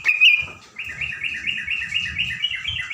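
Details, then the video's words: Songbird singing in the morning to provoke other birds: a loud opening note, then a fast, continuous run of high warbled notes repeated evenly, with soft low rumbling underneath. "cocok..di pagi hari bikin burung terucuan,emosi.."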